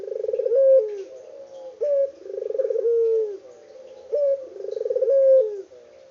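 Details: Local puter dove calling with vigor, with no editing: three low coos, each a vibrating roll that flattens into a sustained hum, spaced a couple of seconds apart.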